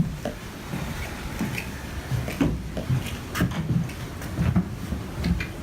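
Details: Scattered knocks, clicks and soft rustling indoors over a low rumble, with no animal sounds.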